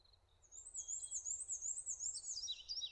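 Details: Prairie warbler singing on a branch: a high, thin, rapid buzzy trill lasting about two seconds, dropping in pitch at the end, over a faint low rumble.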